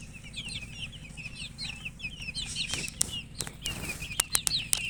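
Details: Young chicks cheeping, many brief high notes dipping and rising in a busy stream, broken near the end by several sharp clicks and taps against a low hum.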